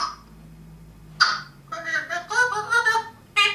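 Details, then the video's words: Pet parrot indoors producing speech-like phrases with harmonic, voice-like tones, a sharp onset then a run of chattering syllables, a person speaking nearby. "george the genius parrot"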